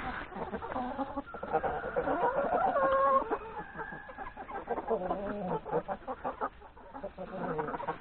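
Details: Hens and three roosters feeding in a yard before heading to the forest to graze; busy clucking from many birds, with a few longer drawn notes and steady background chatter.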